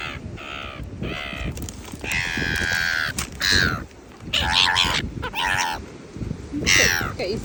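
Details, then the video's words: Seagulls squabbling over food at a beach: a rapid series of loud, harsh, nasal squawks and drawn-out wailing cries, some overlapping, with steady low background rumble. "Seagulls Fighting For Food"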